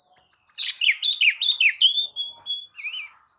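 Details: White-rumped shama lure song meant to provoke other birds into singing: a fast run of high chattering notes followed by rolling, looping whistles and steady pure tones, ending in a slurred double-note whistle.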